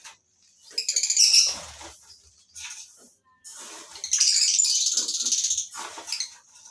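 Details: Two bursts of shrill, rapidly pulsed chattering from lovebirds in a breeding colony, separated by a brief pause, each rising and fading quickly.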